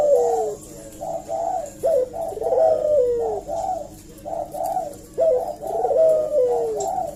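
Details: Lure call of a Eurasian collared dove, played so that other doves reply. Rapid groups of rounded coos alternate with sharp rising flicks and long descending slurs, repeating in a steady, chattering rhythm.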